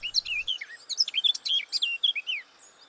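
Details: A male Blackcap singing from a bramble perch in a small woodland with low scrub and nesting bramble patches gives a rapid, rich warble of clear fluty notes swooping up and down for over two seconds.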